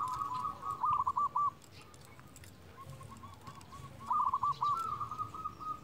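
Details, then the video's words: A local zebra dove calling rivals, used as a lure for trapping doves, heard against steady background hiss: two groups of choppy, stuttered coos at the start and end, with soft rolling trills between. "Perkutut lokal gacor Ahlinya memanggil lawan"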